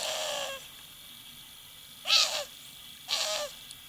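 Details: A pet female owl in Moscow, Russia gives three harsh, hissing screeches, each about half a second long, showing her displeasure as her owner plays with her feet.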